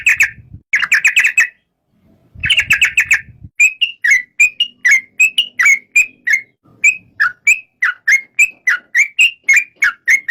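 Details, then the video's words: Yellow-vented bulbul: rapid bubbling phrases in two bursts separated by a pause, then a steady sequence of crisp whistled notes that rise and dip, repeated at a brisk, regular pace. "Suara kicau burung trucuk"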